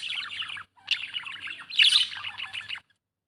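A budgerigar chirps in a rapid, warbling stream of high, scratchy notes.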